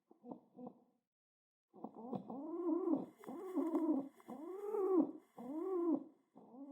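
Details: Pet pigeon being petted, excited and pecking the ground: two short clipped notes, a pause, then steady deep arched coos in a rhythmic series with light background hiss.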